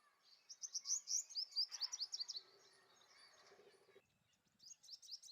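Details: Male purple sunbird singing for a mate: rapid, high-pitched twittering of short sharp notes in quick bursts, a pause, then a fresh high burst at the end; a faint lower rattling chatter in the middle.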